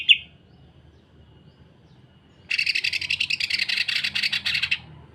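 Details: Greater green leafbird singing the rough, tightly packed 'sewing machine' style, recorded for tutoring and provoking other leafbirds: one short sharp note, a pause, then a continuous two-second burst of fast, grating, buzzy pulses.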